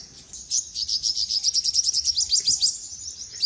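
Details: Olive-backed sunbird song, known locally as sogok ontong: a steady, fast series of high, sharp chirps repeated about three per second, thin and bright throughout.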